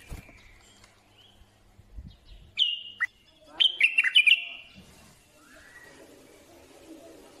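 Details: Bulbul singing a brief rich phrase of warbled, gurgling notes that rises and falls over about a second, preceded and followed by fainter, thin whistles and soft background noise.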